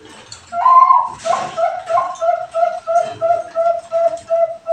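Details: Bangkok-type zebra dove song played as a lure to make other doves sing. A longer opening coo leads into a steady run of soft, mellow, even notes repeated about three times per second.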